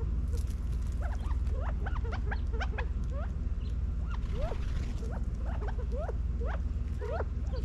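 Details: Feeding California quail, moving about a back yard in Las Vegas, Nevada, fall 2022, give a busy stream of short chirps and swooping notes, overlapping as if from several birds, with a low continuous hum underneath.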